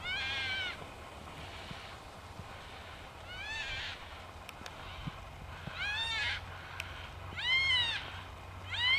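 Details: Flock of Yellow-tailed black cockatoos in Royal National Park behind Heathcote oval: a series of about five long, wavering, harmonic wails spaced one to two seconds apart, some distant and some close, over steady low hum.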